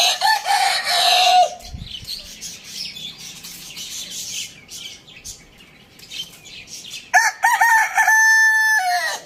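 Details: Rooster crowing in the morning: busy high chirping of small birds fills the first part, then one loud, harmonic crow of stepped held notes near the end, dropping off sharply.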